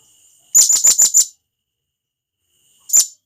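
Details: Wild blue-crowned hanging parrot from the forest calling to its companions: a quick burst of five sharp, very high, shrill chips, then a lone matching chip after a pause; no other sounds.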